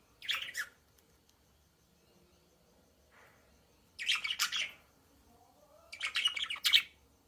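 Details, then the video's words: Budgerigar flock chatter comes in three scratchy bursts of squawks and twittering, a short one at the start, then longer ones near four and six seconds, with quiet gaps between. "เสียงนกหงษ์หยก นกหงษ์หยก ร้องชัดเสียงดังระงม ประสานเสียง"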